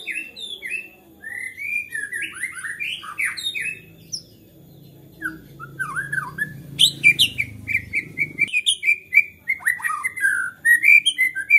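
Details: White-rumped shama singing agitatedly, said to trigger singing in other shamas; rich varied whistled phrases with slurred rising and falling notes, a low rumbling noise midway, then rapid repeated whistles and chips.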